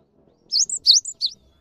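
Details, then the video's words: Java sparrow (gelatik batu) lure recording for coaxing quiet caged birds to sing; four clear high chirps, each dipping and rising, with brief whistled tails, in a quiet background. "MASTERAN GELATIK BATU GACOR UNTUK MEMANCING BUNYI GELATIK BATU MALAS BUNYI"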